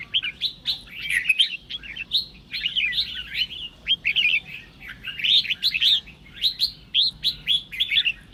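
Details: Red-whiskered bulbul singing to draw song from other birds. Varied whistled phrases alternate with short pauses, and later turn into quick repeated notes.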